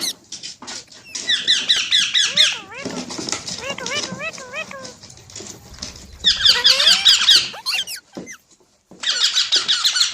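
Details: Parrot calling: bursts of rapid high squeaky chatter alternate with series of clear bending whistled notes and a rising slide, with quieter moments between bursts.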